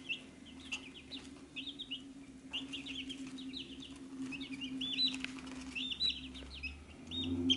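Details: Several chicks gathered at a feed dish keep up bright, high, falling peeps in loose clusters, with a constant low mechanical hum underneath and occasional tapping.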